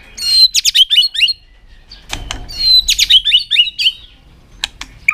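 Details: Tail-flicking White-rumped shama singing to provoke other birds: two bursts of high, quick twittering whistles separated by a pause with a soft knock.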